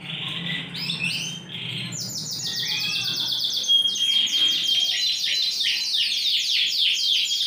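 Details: Large Yorkshire canary, ring 20, recorded 28 January 2021, singing vigorously: rapid trills of repeated high descending notes, with a long steady rolling run from mid-clip onward.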